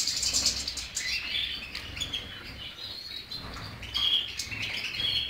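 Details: European goldfinch delivering a lively, high twittering song: quick chirps, rising slurred notes and buzzy trills, with clear ringing whistles in the latter half.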